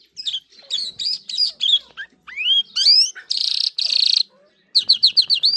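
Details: Irani king jal singing: quick whistled notes, sweeping upward slurs, two loud harsh buzzy bursts, then a fast string of bright repeated chirps.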